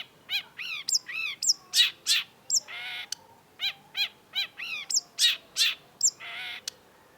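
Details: Long-tailed shrike (cendet) singing hard in a masteran tutor recording: rapid harsh buzzy notes mixed with high squeaks, nearly three per second, broken by two longer rasps.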